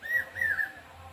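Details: Brainfever bird, the common hawk-cuckoo, heard on a Durga Puja Saptami morning: a single short whistled phrase of two or three slurred, slightly falling notes, over a low steady background hum.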